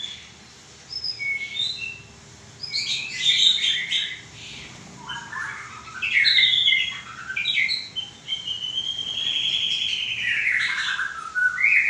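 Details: White-rumped shama song: varied whistled phrases with long sliding notes and quick warbles, rising and falling, over a steady hiss of background noise.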